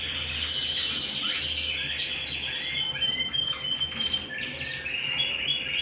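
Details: Domestic canary singing indoors at home: bright, fast twittering song with long level whistled tones and quick upward-sweeping notes, over a faint low mains-like hum.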